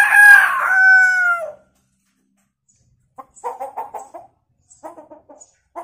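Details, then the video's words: Hill myna imitating a chicken: a loud, drawn-out, crowing-like nasal note, then after a silence two bursts of quick clucking notes. "Burung beo gacor fariasi suara ayam"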